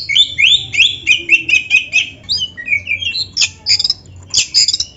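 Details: Oriental magpie-robin singing continuously and richly, a recording meant to train caged birds: dense strings of loud whistled notes repeated rapidly, then short sharp chips and high sweeping whistles, with low hum beneath.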